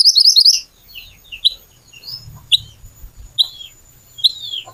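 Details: Little pied flycatcher in full song, used as a lure to get other birds singing: opens with a rapid high trill, then sharp isolated chirps repeated about once a second, with a faint low hum beneath.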